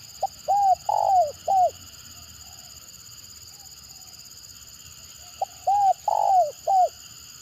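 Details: A spotted dove with a stammering call gives two short phrases of four hollow, arched coos each, about four seconds apart, over a steady high insect-like hum.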